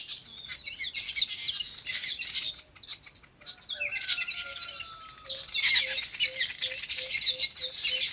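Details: Busy high chirping from many farm birds, joined midway by a long thin whistle and then a series of short, low, evenly spaced notes repeated about every half second.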